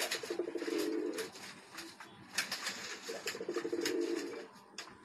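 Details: A Pakistani Sialkoti pigeon pair is heard indoors: two low, rolling coos about a second long, three seconds apart, over scattered clicks and shuffling in a small space.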